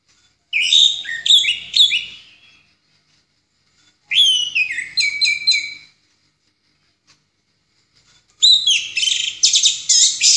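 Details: Master song of an orange-headed thrush in the ngeplong style for tutoring other songbirds: three separate bursts of fast, trilled whistles and stuttering notes, each about two seconds long, with quiet pauses between.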